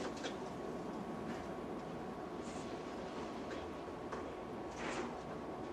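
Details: Steady rumbling train noise with clattering rail sounds and faint brief hisses; no animal calls are heard.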